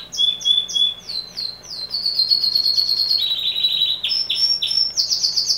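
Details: A very loud male canary sings a fast, continuous song of bright chirps and rolling trills, shifting between high whistled phrases about four notes per second; faint low hum behind.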